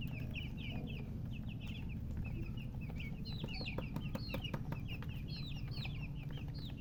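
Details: Newborn chicks chirping loudly, a steady stream of short high peeps, some sweeping up then down, several chicks calling at once over low hum.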